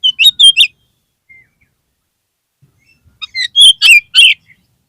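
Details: Oriental magpie-robin song used as a lure for a kacer that has lost its spirit: a quick run of three bright, chattering whistles, a long silent gap, then five rising and dropping notes.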